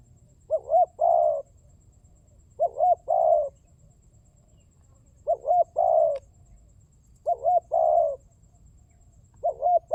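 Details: Spotted dove calls used as a lure for catching doves: repeated phrases of two short, rising hooked notes followed by a longer burry coo, each phrase about two seconds apart, over a low rumbling background.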